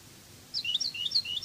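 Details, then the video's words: European goldfinch, Cádiz song style, on a song tape: about a second of quick twittering high notes in repeated rising and falling pairs over faint background hiss. "CANTO DE JILGUERO CADIZ شريط لغة الحسون الإسباني قادس"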